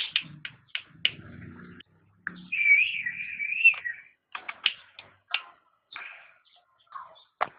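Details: Cucak rante singing for pet bird training: sharp clicking chirps, a sustained wavering whistled phrase near the middle, then more scattered high notes, over faint low background rumble.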